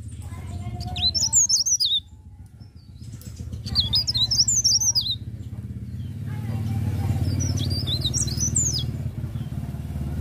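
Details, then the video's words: Leaf warbler singing in the morning in a rolling, continuous style: three bursts of high, thin, rapidly twisting whistled notes, each about a second long, over a steady low rumbling hum. "cikrak daun ngerol pagi hari"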